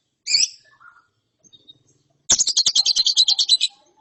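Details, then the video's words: Lovebird chick after therapy: one harsh high squawk, a short pause, then a rapid rattling chatter of dense, buzzy high notes lasting over a second. "ANAKAN LOVEBIRD NGERIWIK SETELAH DITERAPI"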